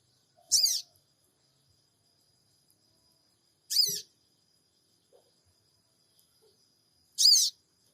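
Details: From Purbalingga, an Android-recorded lure of sooty-headed bulbul cingik cingik calls: three high, scratchy chirps spaced about three seconds apart, with faint soft taps between them in quiet surroundings.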